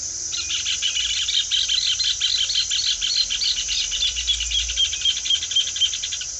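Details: Rufous hornero song: a long, fast, ringing chatter of sharp repeated notes running steadily for about six seconds, slightly descending and loosening toward the end, over a faint low rumble.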